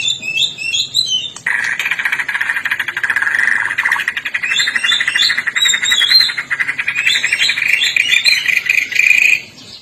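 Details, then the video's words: Vigorous Medan white-rumped shama song with odd sounds: high, quick whistled flourishes over a long, steady buzzy drone that holds for most of the stretch, then stops. "Murai Medan Gacor Suara Aneh"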